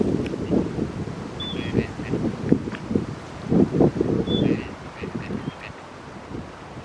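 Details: Gadwall (Mareca strepera) on the Tama River, Japan, giving low, nasal quacks and croaks in quick, uneven bursts, several birds together, with a couple of thin high whistles from another bird.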